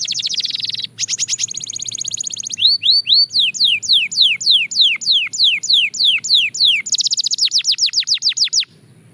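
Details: Belgian canary training song: a buzzy rattling trill, rapid repeated high notes, a long run of clear falling whistles, then another fast trill before stopping.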